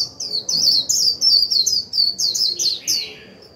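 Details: A white-eye kept as a decoy bird sings 'líu' song meant to set off newly caught birds. A continuous run of quick, high-pitched chirping notes in a fast chattering stream, fading at the end.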